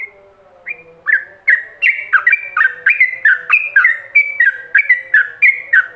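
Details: Yellow-vented bulbul in the rapid ropelan song style, recorded as a master for other bulbuls to imitate: a brief opening note, then a quick run of bright, bubbly whistled notes, about three per second, over a faint low steady hum.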